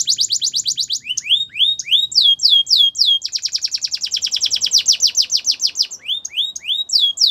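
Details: Russian canary in training song: a quick high trill, rising swooping whistles repeated in groups, a long fast run of falling notes, then more upward-slurred whistles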